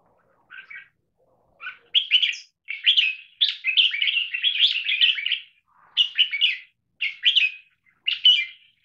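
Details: Trained caged red-whiskered bulbul in the double-note marathon singing style, linking short songs into one long song: bright chirpy warbled phrases, a dense run in the middle, then clipped double-note bursts about once a second.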